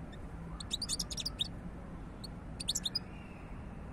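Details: European goldfinch twittering in two quick high phrases of liquid chirps, the second shorter, with a steady low hum underneath.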